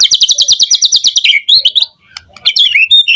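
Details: Morning song of a white-rumped shama used to provoke a response from other shamas: a rapid high trill of repeated sharp notes for over a second, then varied whistled and chattering phrases after a short gap.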